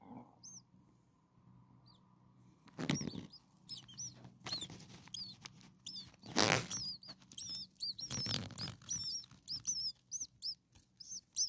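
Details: Hungry brood of six common starling chicks a few days old calling from their nest: quiet start, then many sharp, high, upward-arched squeaks in rapid runs, interrupted by loud rustling and bumping sounds.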